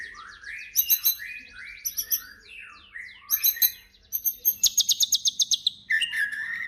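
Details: White-rumped shama in vigorous song, played to trigger other shamas into singing: clipped rising whistles and scratchy notes, then a rapid series of evenly spaced sharp chips, closing on a sweet falling whistle.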